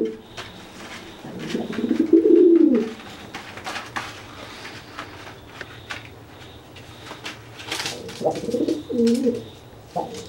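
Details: After a bath, a wet pigeon that cannot fly is threatened by a dry pigeon that coos and makes itself look bigger; two separate low, husky coo phrases about six seconds apart, with quiet shuffling between them.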